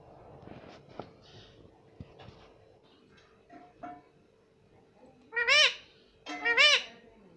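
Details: Pet parrot talking, repeating "mami": scattered soft clicks and quiet sounds, then two loud, nasal, arched calls about a second apart, each rising and dropping in pitch, with a faint steady hum.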